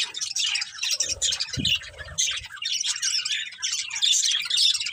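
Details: Chirping budgies, a colourful breeding pair and family, pour out continuous rasping warbles and chirps, with one louder squawk-like note early on amid the steady chatter.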